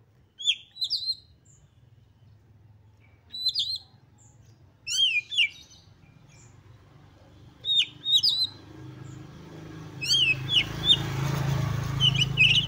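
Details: Excited Oriental magpie-robin song for spurring other magpie-robins to sing; spaced slurred whistled phrases every one to three seconds, with rising rustling and low rumbling noise during the last few seconds.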